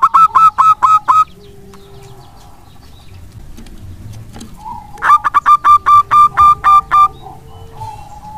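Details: Zebra dove of local wild stock singing as a lure so that lazy doves respond and sing often; a short rattle of staccato coos, a quiet gap with faint distant notes, then a second longer series of rapid rolling coos.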